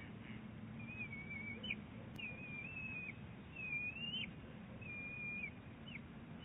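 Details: Exchange of calls between a bald eaglet and its mother at Big Bear Lake, April 2018; four high, thin, wavering whistled phrases about every second and a half, each ending in a short upward flick, over low hum.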